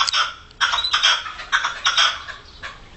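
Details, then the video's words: Young red-legged partridges, recorded in 2014, give harsh, scratchy chattering bursts, about five in three seconds, with thin squeaky notes mixed in. "perdigones cantando"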